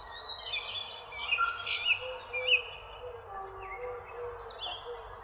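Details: Unidentified birds chirping: short bright tweets and brief whistled notes come in irregular bursts, loudest in the middle, over a steady low background hum.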